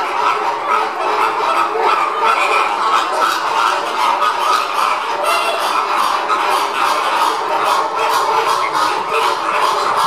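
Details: Caribbean flamingos calling while being fed; a dense, continuous chorus of nasal, honking calls from many birds overlapping throughout, with no pauses.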